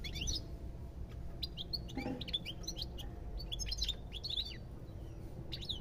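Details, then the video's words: Goldfinch in fast song: liquid, tinkling chirps and downslurred notes in quick clusters, a short pause near the middle, with low steady hum behind. "تغريد طائر الحسون"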